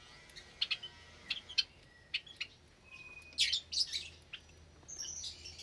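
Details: Caged Java sparrows in an aviary where many chicks have hatched, recorded on a Sunday morning in May 2022: scattered thin chirps and a few rough, noisy bursts from the flock, separated by short quiet gaps.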